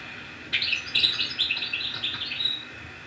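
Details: European goldfinch song recorded by an Annaba, Algeria goldfinch keeper who uses recordings to tutor young birds: a fast, bright tumble of liquid twitters and tinkling trills for about two and a half seconds, over faint hiss.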